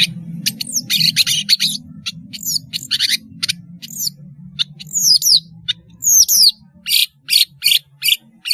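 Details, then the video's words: Long-tailed shrike singing steadily, used as a lure for young shrikes learning to sing: a fast medley of harsh chattering bursts and sharp downslurred whistles, with a soft low hum underneath. "BURUNG PENTET GACOR SUARA MERDU, PANCINGAN TROTOL BELAJAR BUNYI"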